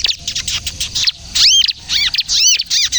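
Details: Bar-winged prinia in kejepit-style song, played to lure birds and coax young prinias into singing: quick bursts of sharp chirps break into bright, arching notes that rise and fall, repeated in tight clusters.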